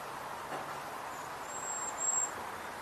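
Cedar Waxwing giving a few very high, thin, lisping whistles in the second half, faint over a steady broad hiss of background noise.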